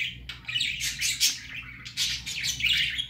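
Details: First outing of a baby budgerigar: busy harsh chattering with buzzy squawks and brief whistled notes, two dense bursts separated by a short pause, low hum beneath.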